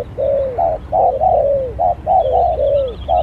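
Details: Spotted dove used as a lure bird in a luring skill contest, giving soft low coos in rhythmic phrases, short paired notes followed by longer drawn-out falling coos, repeated several times over a faint rural background.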